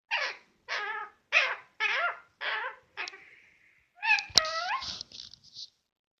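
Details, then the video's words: Pet parrot indoors just before sleeping; a series of six short raspy squawks about every half second, then a thin whistle and a burst of harsh, scratchy chattering notes with one sharp click. "My Parrot Making Different Sounds Before Sleeping"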